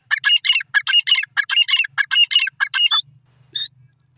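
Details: Francolin calling in a forest: loud, harsh, squawking notes given in quick, close bursts for about three seconds, then a short pause and one last fainter note over a low background hum.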